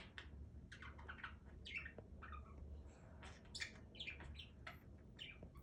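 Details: Pet budgerigar chattering indoors, a busy run of short warbled chirps and squawky notes between 1 and 8k, steady and overlapping, with a low hum underneath.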